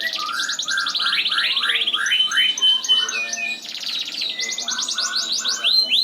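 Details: Caged F1 Yorkshire canary, a breeding stud valued for a clear, loud voice, singing long and continuously: rapid rolling trills and buzzy repeated notes sweeping high and low, with a sustained whistled note midway.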